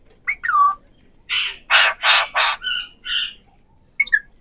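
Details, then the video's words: Three Indian ringneck parakeets, known as Pahari parrots, recorded 7 January 2024: a downslurred whistled note, then a run of six harsh, broadband squawks about every third of a second, ending in a short screechy burst. "3 Ringneck Parrots Talking"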